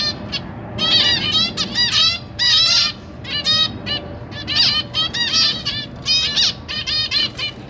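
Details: Captive zebra finches on 12 September 2023, a pair raising three juveniles and three fledglings, parents busy feeding; a dense chatter of short, nasal, trumpet-like calls in clustered bursts, several birds overlapping.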